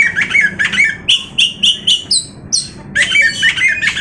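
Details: Oriental magpie-robin (kacer) singing loud varied phrases: chattering notes, then clear whistled notes repeated about every third of a second, rising to high squeaky notes, then harsher chattering again.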